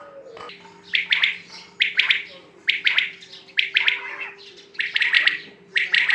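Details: A quail gives a run of sharp, high clustered notes in bursts near one per second, slightly uneven in pacing, above a soft continuous hum.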